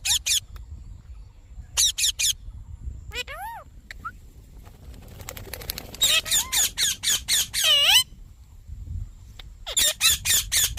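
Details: Green Indian ringneck parakeet vocalizing in a talking session: sharp clipped bursts in pairs and triplets, a few rising-falling harmonic whistles, then a rapid run of harsh repeated notes, with faint low background noise.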